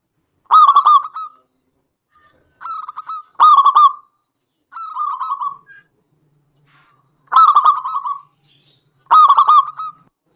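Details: Local zebra dove singing, used as a lure to provoke other doves into song: five bursts of stuttering, rapidly pulsed cooing notes, each about half a second long, spaced irregularly over ten seconds in an otherwise quiet setting.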